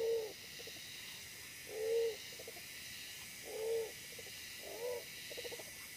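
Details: Wild pigeon at a trapping site with a fierce, small-bodied decoy; repeated low mellow coos, each followed by a short rattling run of soft notes, roughly every two seconds over a constant hiss.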